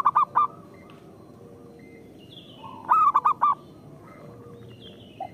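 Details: Zebra dove song used to lure local zebra doves into calling: two loud phrases of three or four bubbling, rolling coo notes about three seconds apart, with a faint background of other doves.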